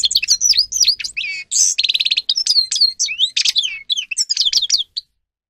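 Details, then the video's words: Grey-crowned goldfinch song used for training, a rapid run of twittering, sliding whistles and liquid notes broken by a dry buzzy rattle, continuous for about five seconds before stopping. "(Carduelis caniceps) Goldfinch song Best for training"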